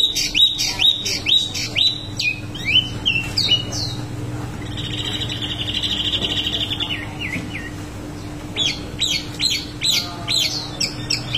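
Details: Rolling song of a wambi mini: rapid high chirps and slurred whistles, a buzzy sustained trill in the middle, then more quick sharp notes, with a low steady hum in the background.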